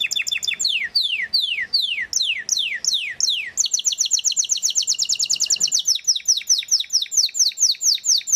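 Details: Galador Belgian canary giving a run of loud repeated downward-sweeping whistles about three per second, then a rapid high rolling trill that continues as quick descending notes.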